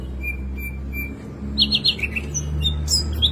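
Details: A male-type singing green leafbird gives three thin whistles, then a quick triple of higher notes and varied chirps imitating sikatan londo and common nightingale calls, over a low indoor hum.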